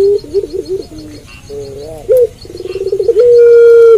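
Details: Puter pelung dove cooing at night, a lively singer: low mellow coos with wavering notes, a fast bubbling trill, then a long steady drawn-out coo to finish.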